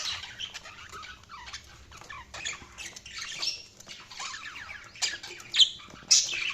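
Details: Quiet budgerigar twittering, a low-level stream of small squeaks and warbles, broken near the end by a few sharp, loud high chirps.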